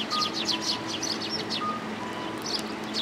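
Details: Sparrows coming to be fed at a Tenmangu shrine on 29 January 2022: quick, bright chirps and short twittering notes overlapping in busy bursts, with a faint steady tone beneath.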